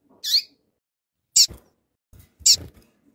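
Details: Female rusty-collared seedeater calling to excite a tui-tui male: three short, sharp, high chips spaced about a second apart, with soft low knocks between them.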